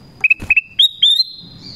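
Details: Black-crested bulbul's call to lure wild birds: four quick clipped whistles on one pitch followed by longer notes sliding upward to a high sustained tone.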